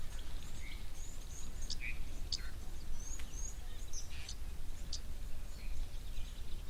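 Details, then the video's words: Red-billed oxpeckers with giraffe bulls at a waterhole, where the birds drink too, give short, thin, high chirps and hissy notes scattered every second or so, over a steady low rumble of wind and outdoor noise. "You can hear the chirps of the oxpeckers now as well, the red-billed oxpeckers."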